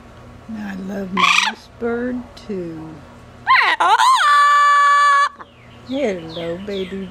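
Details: Pet female double yellow-headed amazon out of her cage, mixing low speech-like words with a sharp rising squawk and a long, flat sustained whistle of over a second, then quicker chattering syllables indoors.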